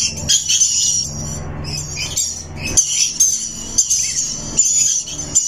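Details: Shrill, high-pitched chirping chatter from a rainbow lorikeet, with rapid squeaky notes running almost without pause and a low hum in the background.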